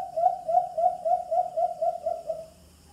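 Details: White-eared brown dove call played through a Bluetooth speaker for hunting: a quick run of about nine low, soft hoots, four a second, fading out at the end.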